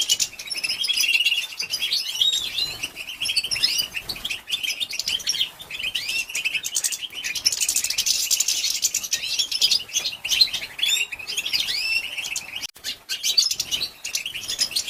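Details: Batbata calls of a female European goldfinch, used to excite males: long run of rapid, high twitters and curving chirps, intense around eight seconds, with occasional brief gaps.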